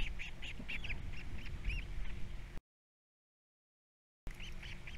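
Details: Osprey chicks, three nestlings at a Captiva nest in the 2022 season, call at feeding time: a quick series of short, sharp, high chirps repeated about four per second over a steady low rumble of background noise, then a silent gap.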